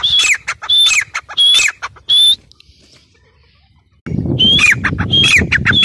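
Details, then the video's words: Grey francolin calling in loud harsh bursts, each with a high whistled note that rises then drops, repeated rapidly for two seconds, then near silence, then the calling resumes over a low background rumble. "Teetar awaz | teetar sound | gray francolin teetar sound"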